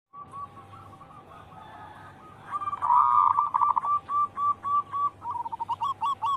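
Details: Local wild zebra dove singing steadily, used as a lure to stir other birds into song: faint cooing at first, then loud, evenly spaced short coos repeated about four per second, with a steady low hum beneath.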